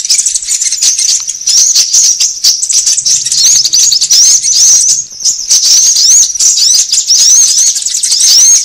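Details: Sunbird calls used as a lure to draw birds together: an unbroken stream of very high, thin chirps and looping squeaky sweeps, busy and overlapping, with a faint low hum partway through.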